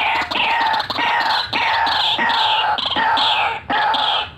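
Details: White-breasted waterhen full "ngekek ngeroll" lure call. Loud, harsh, drawn-out cackling phrases repeat roughly every second, each with a rising squawky note and a short pause between.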